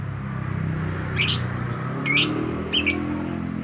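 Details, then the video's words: Lovebird whose song is called ngetik (typing) style, here giving three harsh, buzzy chirps about a second apart over a loud, steady low hum. "Lovebird kicau ngetik"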